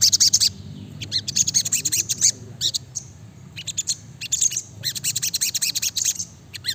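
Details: Brown-throated sunbird pouring out a busy song of high, rapid chips and short slurred notes in uneven bursts, with a steady low hum beneath.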